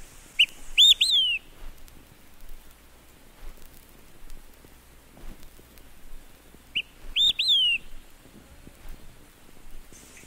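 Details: Olive-sided Flycatcher singing two clear whistled three-note phrases about six seconds apart, each a short note followed by two louder ones, the last slurring downward; otherwise quiet background.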